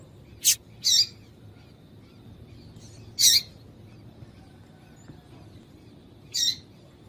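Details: Female double-collared seedeater calling to stir a male into singing: four short, high, buzzy chirps, two close together at the start, then single chirps after a long pause and near the end, over a quiet background.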